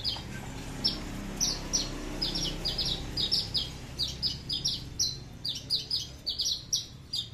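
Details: Horsfield's bushlark, aliena type from Papua, kept tame, in a long loud bass-free song: a fast run of high clipped descending notes that grows denser and quicker toward the end, over low background hum.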